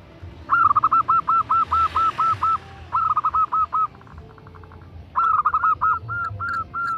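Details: Perkutut, a female zebra dove, calls to a male in three loud bursts of rapid, bouncy cooing notes, each burst about a second long, with short pauses and a steady low hum beneath.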